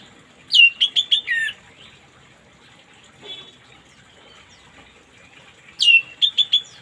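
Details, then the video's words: Orange-headed thrush morning song, played as therapy to get silent birds singing: two bursts of rapid, high whistled notes, each a downward slur then three or four quick sharp chirps, about five seconds apart, with a faint soft note between. "terapi burung anis merah macet di pagi hari biar cepat ngplong"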